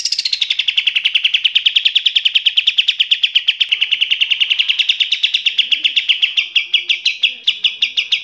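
Eurasian tree sparrows give a fast, steady stream of harsh, high chirps, about eight a second, in an unbroken fighting chatter.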